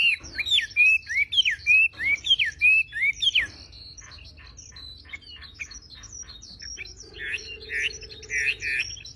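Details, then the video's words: Javan pied starling in a bird-training recording: loud repeated slurred whistles that dip and rise, followed by softer scratchy chatter and a few buzzy notes, with a low steady hum underneath. "MASTERAN BURUNG WAMBI FULL TEMBAKAN GACOR DOR."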